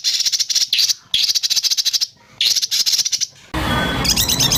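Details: Murai batu, the white-rumped shama, in a birdsong training track of 'tembakan kasar' bursts: three quick volleys of shrill, closely repeated notes separated by brief pauses, then a noisy segment with high twittering.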